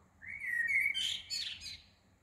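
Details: Small bird at Shah Jahan Mosque, Woking, singing early on a June 2020 morning: a clear whistled run that climbs into quick, sparkling high twitters and ends with a short trill; a soft low hum underneath.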